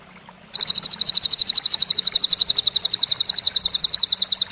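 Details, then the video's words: Cililin material used in masteran for Indonesian contest songbirds: a sudden onset of shrill, rapid, two-toned chirps, near four each second, held steadily to the end. "Masteran Burung Lomba Isian Cililin"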